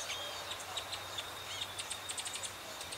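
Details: Rufous-headed Tanager (Hemithraupis ruficapilla) recorded in Belo Horizonte, Minas Gerais, Brazil, giving a fast run of thin, high, sibilant chips and short twitters, several per second, over a steady background hiss.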